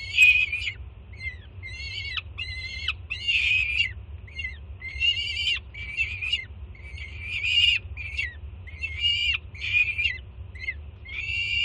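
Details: Juvenile peregrine falcon at a Jersey City nest, 24 June 2017, screaming with excitement at its mother bringing breakfast. Around sixteen hoarse, overtone-rich screams pour out almost nonstop, with low background rumble.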